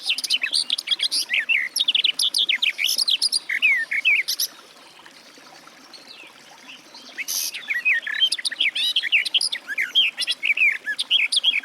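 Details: Garden warbler (Sylvia borin) singing a rapid, rambling warble of varied chirps and twittering notes, pausing for about three seconds midway before resuming just as fast.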